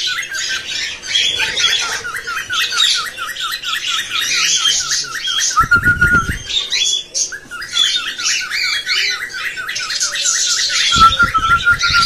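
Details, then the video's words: Cockatiel calls used to encourage breeding and to teach cockatiels to sing. A rapid, wobbling, repeated warble runs through most of the recording above a busy background of high squawking chatter, with occasional low knocks. "تحفيز طيور الكوكتيل على صوت محفز شغل الفيديو وستري بنفسك تعليم الكوكتيل التغريد"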